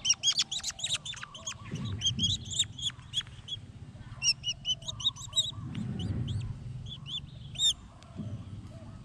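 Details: Collared falconets in hunting training, learning to kill: rapid bursts of shrill, high, squealing notes with strong overtones, fired in quick series with brief pauses, over low background rumble.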